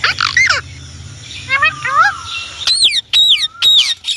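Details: Indian ringneck parrot mixing down-slurred squawks, soft wavering syllables and a falling whistle, then loud, evenly spaced arched calls about twice a second near the end.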